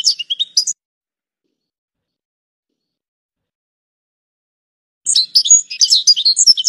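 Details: European goldfinch song: a short burst of high, tinkling twitters, then a long silence before a livelier, jumbled run of bright chirps and trills.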